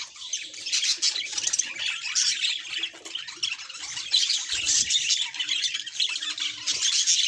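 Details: Cheerful pet budgie's unbroken chatter: rapid, grating chirps and trilled squeaks mixed into a steady warble, with a soft low thud midway.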